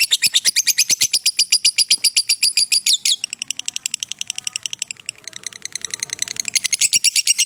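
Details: Lovebird 'ngekek' trill recorded as a master for training: a loud, fast run of high chattering notes for three seconds, followed by quieter, more broken chatter, then a loud rapid burst again near the end.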